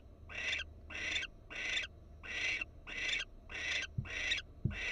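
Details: Florida barn owl on a nest camera, female perked up: eight evenly paced, harsh, hissing screeches about one and a half per second, fairly clean, with two low thumps near the end.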